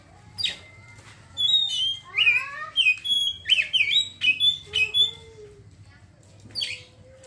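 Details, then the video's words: Kacer (Oriental magpie-robin) chattering ngeriwik: a string of clear whistled notes, some sliding down, delivered quickly over about four seconds before a short final chirp. "kacer ngeriwik langsung ngeplong seketika"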